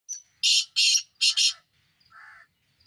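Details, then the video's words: Black francolin calling: a brief faint note, then two long harsh grating notes and a quick doubled pair, followed by a softer, lower buzzy note, in otherwise quiet surroundings. "kale titar ki mast awaz"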